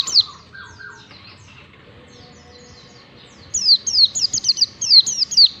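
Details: Oriental white-eye song used to train caged birds: brief lower chirps, a quiet stretch, then an energetic run of high, down-slurred whistles.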